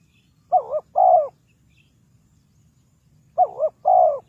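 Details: Spotted dove calling to lure birds into a trap: two separate double-note coo phrases, each a quavering short note then a longer falling hoot, separated by nearly three seconds of quiet.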